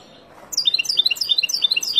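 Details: Wild European goldfinch singing for young learners: a brisk, high-pitched string of clear, bouncing chirps, each note quickly following the last, starting abruptly after a short silence.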